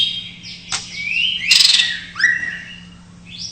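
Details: Sparse phrases from a greater green leafbird in isian style, meant to coax silent birds into singing: a few clear rising and falling slurred whistles with a short harsh burst in between, and a low hum behind.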